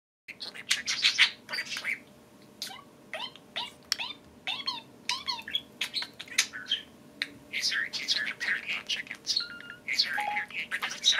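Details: Two pet parakeets take turns talking to a spoon in dense, loud chattering warbles. Rapid squeaks and buzzy notes mix with repeated short downward-sweeping whistles in an almost continuous stream.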